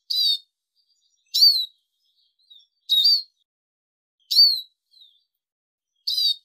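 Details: Arabian babbler calling, used for training and hunting: single loud, rasping upslurred chirps repeated roughly every one and a half seconds. Faint thin whistles fall between them.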